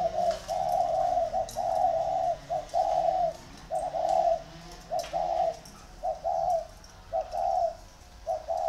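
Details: Ba Vì, Vietnam: two competing spotted dove decoy birds give clear, evenly spaced coos in rhythmic groups, about one phrase per second, with sharp clicks in the background.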